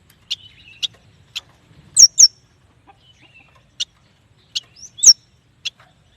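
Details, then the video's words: Yuhina, or prenjak batu, giving sparse single sharp chip notes spaced irregularly, plus a few loud descending whistled slurs, in an otherwise quiet setting. "Suara burung yuhina paling istimewah"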